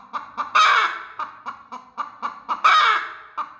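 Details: Aggressive broody hen protecting her eggs: low, steady clucks about every quarter second, broken twice by loud, harsh, drawn-out squawks.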